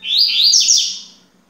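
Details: Yellow-bellied seedeater singing a short, loud, high-pitched phrase of clear whistled notes that slide up and down, followed by quick descending sweeps and a fading tail, over a faint steady low hum.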